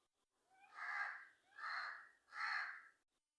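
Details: Black crow giving three harsh, drawn-out caws about three quarters of a second apart, each broad and raspy with no other sounds around them.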